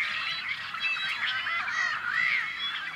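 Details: Nesting Tricolored Blackbirds on a Central Valley farm in California, May 2012: many birds calling together in a thick wall of harsh, nasal, buzzy notes with brief whistled squeaks riding on top, steady in loudness.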